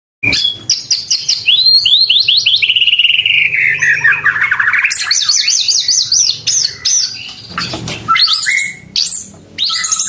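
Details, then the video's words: White-rumped shama, a kept bird, singing loudly in a bowing posture: rich, varied whistles that slide up and down in looping phrases, fast wavering trills, sharp chips and harsh notes, with faint low hum behind. "Gaya sujud, materi volume mantep"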